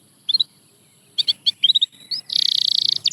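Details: Canary song meant to get silent canaries singing again: scattered paired high chirps, a short upward whistle, then a dense fast trill and closing chirps over faint low background rumble.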